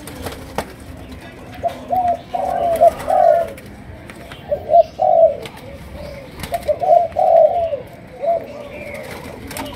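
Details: Malaysian spotted dove producing chiêu gù cooing in sấm đồng style. Clusters of two or three warm, hollow coos alternate with pauses, and faint clicks run through the background.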